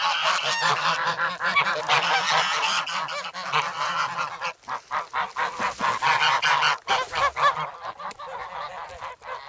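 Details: Grown goslings in snow at Sloterpark, Amsterdam, on 3 February, hungry and pecking for bread, filmed with a Sanyo SH1. A thick chorus of harsh honks opens, thinning later into separate short squawks with gaps between.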